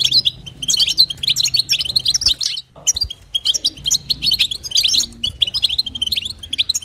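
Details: Female European goldfinch giving calls to rouse the male, in the styles called batbata and sastasa: quick high twittering phrases with a clear silent break near two and a half seconds.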